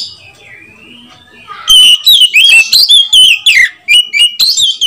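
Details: White-rumped shama calling to provoke other shamas into song: after a faint, thin, drawn-out whistle, a loud burst of rapid, varied whistles and slurred notes follows, bright and high.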